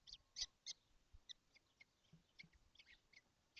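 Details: Seven young kestrels together in a nesting box on a hot day in June 2025, giving short, rasping, high chirps in irregular bursts, several birds overlapping.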